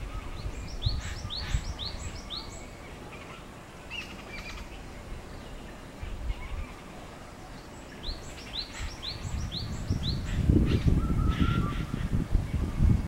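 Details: Lesser whistling duck (Dendrocygna javanica), recorded 25 May 2016, gives two bursts of thin, high, rising-and-falling whistles in quick series, about three per second, over a low rumble of wind.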